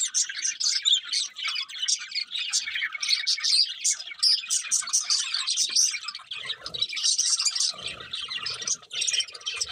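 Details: Several budgies keep up steady chirping, a thick mix of rapid twittering notes and buzzy warbles, with faint low knocks and bumps near the end.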